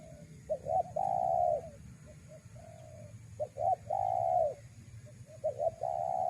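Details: Spotted dove lure call for drawing in wild doves: two short clipped notes followed by a long, steady, mellow coo, repeated in phrases, with softer intervening coos over a low background hum.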